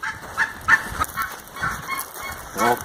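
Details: Geese living on an island on Derwent Water call during a boat visit: a run of loud, nasal, overlapping honks, several birds calling one after another, with light background noise.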